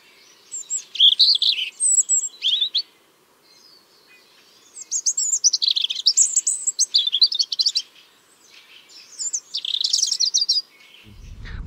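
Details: European Robin sings on a cloudy, cool, windless 30 March 2023 in Tsaritsyno park, Moscow, giving high, thin, liquid warbling phrases with trills in bursts of a few seconds, over a faint hum; several robins, probably mostly migrants, sang and chased that morning.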